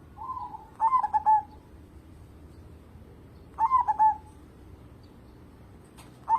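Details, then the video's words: Local zebra dove singing steadily, a bird meant as a lure for others: two clear phrases nearly three seconds apart, each a quick run of soft, rolling, staccato coos ending in a smooth falling note, then a third phrase begins. "burung perkutut lokal gacor cocok buat pancingan"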